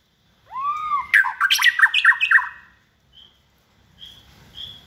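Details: Caged white-rumped shama of the second season, hand-raised from a nestling, said to have many voices and be bold in cage contests, singing a rich burst of rising whistles and rapid varied notes, followed by a few faint high notes.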